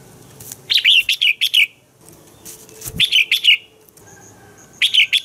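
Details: Red-whiskered bulbul morning song, used to train other bulbuls: repeated bursts of fast, chirpy whistled notes, four to six per phrase, with a brief click-like sound between phrases.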